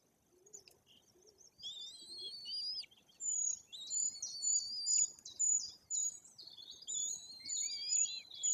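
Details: White-tailed eagle chicks close to three weeks old, fed by attentive parents at a nest in Bory Tucholskie, Poland; after quiet, soft low notes, a burst of high wavering whistles, then steady short piping calls.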